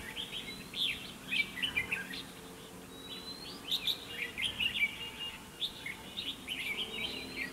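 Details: Caged decoy red-whiskered bulbul singing to provoke wild birds into fighting at a trap; lively chirpy phrases of rising and falling notes, repeated in clustered bursts, with a thin rising whistle near the start.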